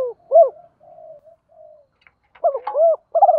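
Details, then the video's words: Decoy spotted dove, deep 'thổ' voice, cooing to attract wild birds. Low hooting notes, soft murmured coos in the middle, then a fuller phrase of short and drawn coos at the end. "Chim Cu Mồi Gáy Nhiều_ gáy gọi bổi nhanh gáy"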